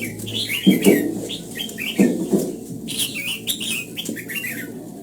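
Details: Red-whiskered bulbul singing in the morning during voice training, aiming for the old-forest double-note style; short warbled, looping phrases come every second or so, with low thumps and a steady low hum beneath.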